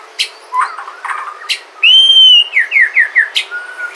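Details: Sumatran White-rumped shama singing, a recording played to draw song from other shamas: sharp chips and short warbles, then a loud, clear, drawn-out whistle followed by several quick, falling slurred notes.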